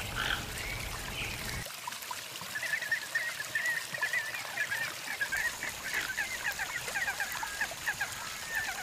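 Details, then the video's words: A wild toco toucan filmed in Arapongas, Paraná, Brazil, gives a rapid series of rough, croaking notes in quick succession, with a brief rumble of background noise at the start. "TUCANUÇU (Ramphastos toco) CANTANDO"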